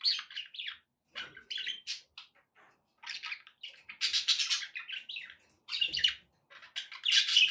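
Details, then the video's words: Budgerigars singing to encourage a pet parrot to eat and sing; near-continuous scratchy, buzzy warbling with squeaks and chirps, louder rasping bursts at intervals. "budgie sounds to encourage your parrot to eat and sing"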